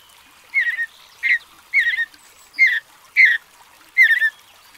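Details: Mountain bluebird, a bird native to North America, singing: six short warbled phrases of soft, slurred notes, one about every two-thirds of a second, against a quiet background.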